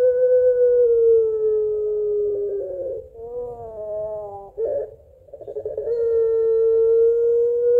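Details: Puter pelung barbary dove crying-laughing toward its mate: a held tone slowly drooping for about three seconds, a wobbly rising glide, a brief gurgle and a pause, then a long even note resumes.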